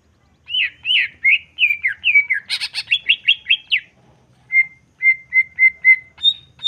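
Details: Greater green leafbird song used to stir emotion in other birds: fast warbled phrases, a harsh buzzy burst, rapid chirp series, then evenly spaced flat whistles at the end.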